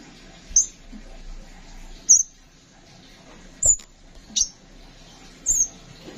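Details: Kept Van Hasselt's sunbird giving piercing, very high short chirps roughly every second and a half, some with brief twisting inflections, over steady low hum and occasional soft thuds; recording meant to tutor songbirds.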